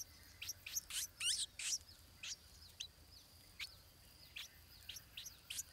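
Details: Nest scene of a stripe-throated bulbul, a chick being fed by parents; a burst of loud, sharp high chirps early on, then thinner squeaky notes spaced irregularly, some with faint downslurred whistles between.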